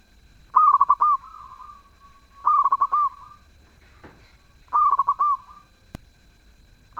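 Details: Actively singing zebra dove with a sweet voice: three phrases of quick, bubbling coos each ending in a longer note and followed by a softer fading tail, a fourth phrase just beginning, plus a brief rustle and a click.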